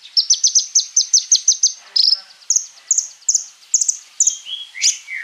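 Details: Konin sunbird pours out a fast series of high, evenly spaced piping notes, then breaks into scattered chirps and a few falling, slurred whistles.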